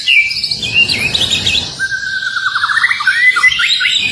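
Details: Male white-rumped shama singing while courting a female, mixing high warbled notes with a long falling series of rapid lower whistles, over a faint background rumble.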